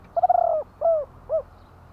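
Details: Thai spotted dove singing one short 'kuk-ku' style phrase. A rolled, stuttering coo is followed by two smooth, falling hollow coos, with a low hum beneath.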